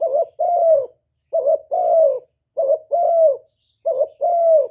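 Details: Spotted dove kept as a decoy cooing at a brisk, even pace: four phrases, each a quick wavering note and a longer, rich, down-sloping coo, repeating roughly every one and a quarter seconds.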